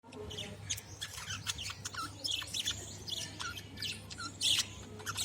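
Young budgerigars chatter in dense, high, scratchy chirps and squeaks over a steady low hum.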